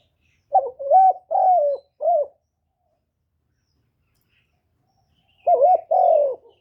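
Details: Kept decoy spotted dove calling to stir other captive doves into calling. Two bursts of low, hollow cooing notes, three or four notes each: short, then longer and slightly falling. A quiet pause of about three seconds separates the bursts. No other sounds.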